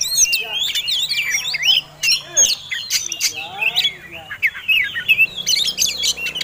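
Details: Oriental magpie-robin fighting song, used to provoke other birds: loud, varied whistles and harsh chattering notes in dense, rapid bursts with short gaps, high and sweeping throughout.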